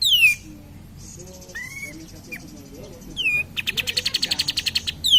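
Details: Cream-vented bulbul lure song for stirring other birds: a descending whistle, soft buzzy and short rising notes, another falling whistle, then a loud pulsing rattle repeated rapidly.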